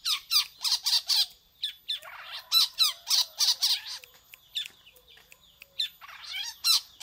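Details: Rapid harsh, scratchy squawks from a long-tailed shrike said to sing like a prinia, delivered in quick bursts with pauses and some softer buzzy twittering between the rasping notes.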